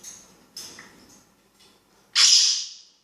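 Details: Talking African grey parrot; faint high clicks and rustles, then one sudden, loud, shrill squawk that fades over about a second.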